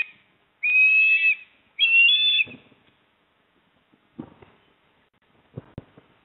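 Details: Osprey at a nest in Port Lincoln, South Australia, on 28 September 2024 as the male brings a fish to the female: two loud, high whistled calls with a shrill wavering quality, followed by faint knocks and rustling.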